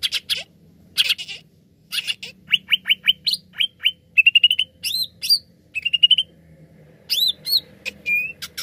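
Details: Greater green leafbird lure song used to get other birds singing: harsh chatter bursts, then rapid downslurred whistles in a row, buzzy trills, looping upslurs and a steady whistle.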